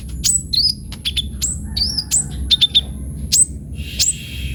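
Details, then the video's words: Vigorous sunbird song rich in varied fills, meant as a lure and tutor recording; sparse sharp high chirps and bright slurred notes, spaced irregularly, with a faint constant high-pitched tone behind. "KOLIBRI NINJA GACOR FULL ISIAN"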